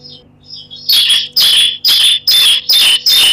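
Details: Bar-winged prinia sound used as a lure to make prinias sing: a loud, buzzy, high-pitched song of six harsh bursts, about two per second, after a few faint chirps.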